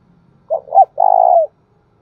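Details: Spotted dove cooing in the thúc bổi and gáy gọi style. One phrase: two brief hooting notes, then a long, even coo that dips slightly at its end. The background is quiet.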